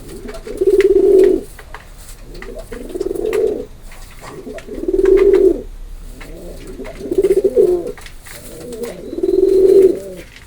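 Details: Repeated pigeon coos, five even, low, throaty bursts roughly every two seconds, each swelling and fading, over a quiet background with faint clicks.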